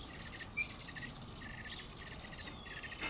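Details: Fledgling Eurasian blackbirds, two surviving young from an early brood, crash-landing out of the nest. Rasping broadband calls are given in rapid rows with short pauses. A thin whistled slide descends in the background.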